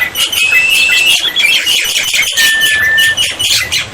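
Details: Black-winged myna tutor song used to prompt unresponsive birds, with water therapy: dense, bright chattering overlaid by two long, steady whistles, one higher and one lower.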